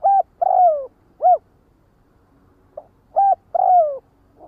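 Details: Spotted dove giving flock-gathering calls: two loud phrases, each a short hooked coo followed by a drawn-out, falling coo, clean against a quiet background.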